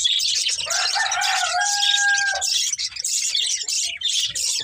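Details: Colourful budgerigars from a breeding pair and family chatter with high, scratchy chirps throughout, while a rooster crows loudly in the background early on with a long, drawn-out call.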